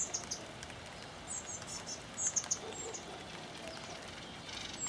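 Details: Spotted flycatcher recorded on 23 June 2013 with a Panasonic HDC-SD60 camcorder: thin, very high, short notes in small scattered clusters, a few sharper pairs near the middle, over constant soft background hiss.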